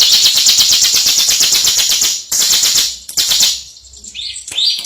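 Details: Prize-winning bar-winged prinia giving a sustained grating ngebren buzz, broken by short pauses, with a couple of thin high whistles near the end.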